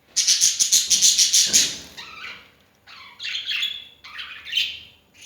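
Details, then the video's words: Pet birds making noise early in the morning: a fast run of rasping notes, about eight in under two seconds, followed by scratchy, buzzy squawks in irregular bursts. "my lovely birds making noise early in the morning!"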